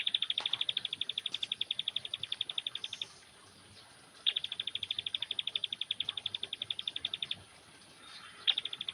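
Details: A young bar-winged prinia sunning itself gives long, fast strings of identical high, ticking notes. Each run lasts about three seconds, with short pauses between runs, and one lone note comes near the end.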